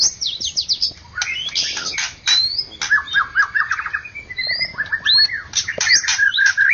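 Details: White-rumped shama of Medan and Java stock, a first-place singing-contest winner, pouring out a varied, fast song of sharp high chips, rattling bursts and clear whistled slurs, with short pauses between phrases.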